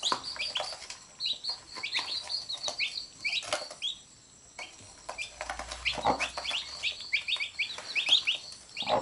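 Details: Domestic chicks beside their mother hen, biting her as she picks them up. Bright, high descending peeps come in quick runs, pausing briefly near the middle, over light rustling.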